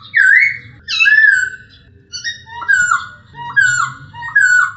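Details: A male masked laughingthrush gives loud, clear whistled phrases that dip and rise, roughly one per second, with faint indoor background hum.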